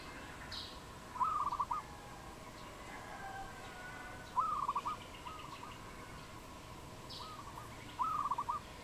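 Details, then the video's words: A wild dove in Cambodia, recorded 22 April 2020, gives three short rattling coo phrases roughly three to four seconds apart. A quieter echo-like phrase and a constant background hum are also present. "លលកដី ឬ លលកបាយ? Dove, นกเขา, Bồ câu"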